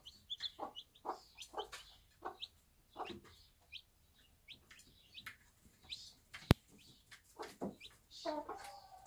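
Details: A Bantam mother and her one-day-old chicks in a backyard farm: scattered low clucks mixed with high, thin peeps sliding downward, irregular and uneven, with a loud click partway through.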